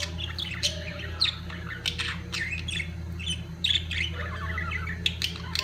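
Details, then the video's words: Budgerigars at the height of mating give rolling, scratchy warbles with rising squeaks and short squawks, several birds overlapping, plus a steady low background hum. "طيور الحب البادجي في قمة تزاوجها"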